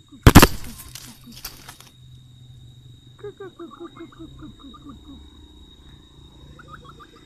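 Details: Reeves's pheasant pecking at ants gives a quick run of short, chirping twitters, about eight notes a second, after a sharp loud burst at the start; a faint steady hum runs underneath.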